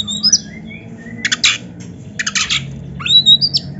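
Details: Oriental magpie-robin in nonstop song with varied phrases: thin sliding whistles broken by harsh, buzzy rattling bursts, then rising whistled notes, with a low background hum.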